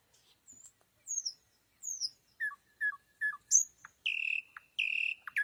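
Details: Nightingale singing at night: thin high whistles, then sharp repeated clipped notes, ending in loud sustained ringing phrases with short pauses between.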